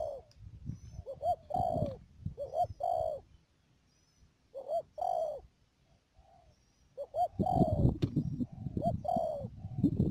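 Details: Spotted dove used as a decoy in bird trapping at Mương Điều, Đầm Dơi, Cà Mau, Vietnam; several cooing phrases of short rising notes and a long coo, a pause, then more phrases over rustling and knocking noise.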